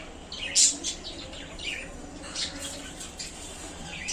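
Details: Pet budgerigars in a small new cage, described as very happy in their new home, giving quick high bright chirps and short squeaky tweets scattered over a soft background hiss.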